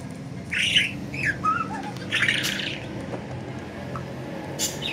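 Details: Loose budgies flying free make a cluster of harsh chirps and a brief twitter in the first half, then a single sharp note near the end; a low hum runs throughout.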